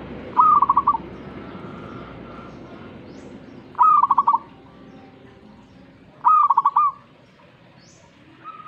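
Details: Zebra dove singing back to a master recording: three quick stuttered coo phrases, roughly every two and a half seconds, over a steady hissing background.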